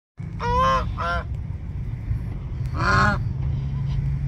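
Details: Swan goose (Anser cygnoides) preening at a public pond, 1 May 2023, early afternoon, giving three loud, nasal honks, two in quick succession and a third after a pause, over a steady low rumble.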